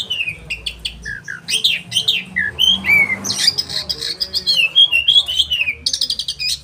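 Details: Loud, sharp oriental magpie-robin song played for training caged birds: rapid varied whistles swooping up and down, quick chirp bursts, smooth descending slurs and dense clicking trills, packed tightly with barely any pauses.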